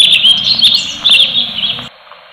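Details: Cucak cungkok, the orange-bellied leafbird, in full tembakan: a dense, unbroken run of bright, high chattering whistles for nearly two seconds, then ending abruptly into silence.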